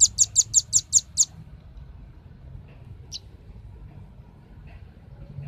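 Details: Lure recording of a velvet-fronted nuthatch for drawing in birds, opening with seven rapid, piercing high chips in a tight burst, then near silence with one isolated thin note and a soft low rumble behind.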